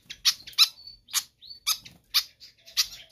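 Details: Pied fantail singing vigorously, a track meant for tutoring or luring other birds: sharp, bright chirps in short bursts about every half second, mixed with thin high whistled notes, some rising.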